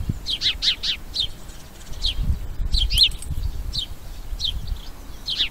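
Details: House sparrow giving a series of short, sharp, downward-slurred chirps, some quickly doubled and others spaced about a second apart, over a steady low outdoor rumble.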